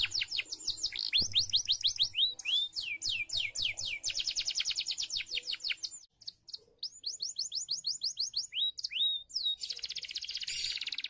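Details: Caged canary singing a training song meant to get birds to sing diligently: rapid runs of high, descending whistled sweeps repeated several times a second, with a brief pause near the middle before the trills resume.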